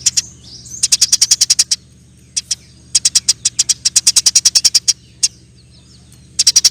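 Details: Eurasian tree sparrow in long chattering 'nyerecet' song: fast, loose runs of piercing high chips, some strings over ten notes long, pausing briefly, against a steady low hum.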